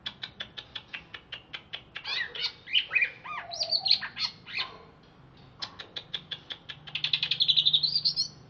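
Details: Greater green leafbird from Alas Purwo, Banyuwangi, caged and just bathed, gives a fast series of dry clicking ticks, then a jumble of buzzy, arched whistles, more ticking, and finally a rising run of high twittering notes.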